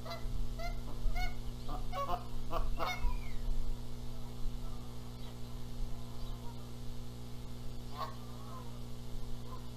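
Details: Nesting Canada geese in Charlo, Montana, April 14, 2022, contesting who sits on the eggs: a cluster of sharp honks in the first three seconds, quiet stretches, then one more honk near the end over a constant low droning hum.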